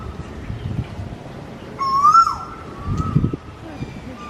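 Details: A single clear, whistled note from an Asian koel in Vizag rises then drops. A faint steady tone and low rumbling background noise run underneath.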